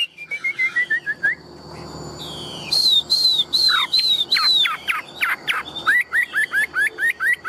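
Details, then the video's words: Singing Chinese hwamei, a large tame cage bird. Descending whistled trills give way to loud, clear high whistles, drawn-out and falling, then a fast run of short up-flicked notes. "Chim họa mi thuần - Bộ To - Hót hét rất tốt"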